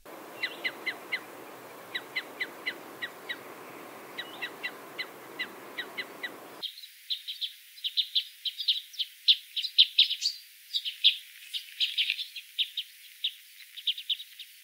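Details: Parrot Crossbills, which occur in Scandinavia and in some winters irrupt into northern Central Europe, giving hard, clipped 'kip' calls, deeper and harder than Common Crossbill, singly and in quick pairs, then a denser burst from several birds.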